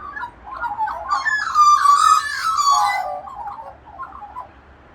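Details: A local flock of Australian magpies (Gymnorhina tibicen) carolling together in the morning, a group vocalisation of rich, fluting, yodel-like warbles swelling for a few seconds, then trailing into softer gurgling notes.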